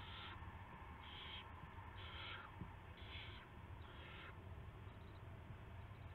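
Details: Owl at its nest, pre-dawn around 5:20 AM on 9 March 2016, bringing a rat as prey; harsh hissing bursts repeat about once per second over a steady low rumbling hum.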